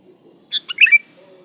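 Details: A chattering sooty-headed bulbul sings one lure phrase for attracting opponents. It opens with two or three clipped notes, then gives a warbled, liquid whistle, over faint steady hiss and a low background hum.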